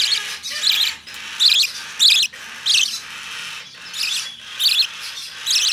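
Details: Hand-tame opaline budgerigar chick giving repeated harsh, raspy chirps roughly once a second, each a noisy burst with a brighter core, over a constant background hiss.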